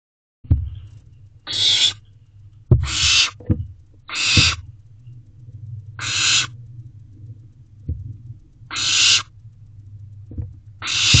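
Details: Barn owl owlet in nest box C, still calling to its parents for food at 9:21 pm on 16 May 2023: long harsh hissing screeches about half a second each, repeated every one to two seconds, over a low steady hum.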